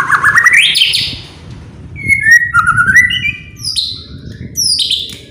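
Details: White-rumped shama singing to provoke other birds: a rising buzzy whistle, a pause, then sliding whistled notes and a few high sharp phrases.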